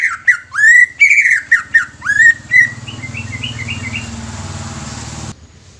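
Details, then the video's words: Song of a young greater green leafbird used to rouse other leafbirds: bright swooping whistles and sharp upward slurs repeated about twice a second, then a softer run of quick descending chips before an abrupt stop. "CUCAK IJO MUDA INI COCOK UNTUK PANCINGAN CUCAK IJO BAKALAN"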